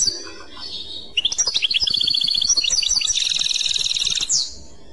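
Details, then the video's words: European goldfinch in clochette song: after a soft opening note, a long unbroken stream of bright, rapid, bell-like twitters and trills lasts about three seconds and ends with a slurred note. "تغريد كلوشات Chant Clochette"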